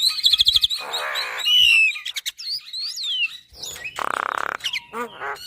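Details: Energetic Javan myna song as a tutor for caged birds: a trill of quick notes, a harsh buzz, looping whistles, then another rattling buzz and nasal squeaks.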